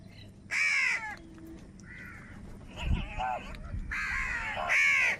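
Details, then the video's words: Crows squabbling over food: several rough caws overlap, loud at the start and end with softer, shorter caws between, and a brief low murmur near the middle. "Crow Sound of Kaka | Clear Crystal Crow Bird Crowing Sounds | Crow Bird live Crowing Sounds"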